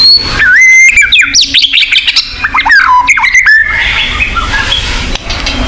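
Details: White-rumped shama song from a combination of chosen recordings meant to trigger territorial singing in kept birds; quick varied phrases of whistles, swooping slurs and chatters, fading into softer noise near the end.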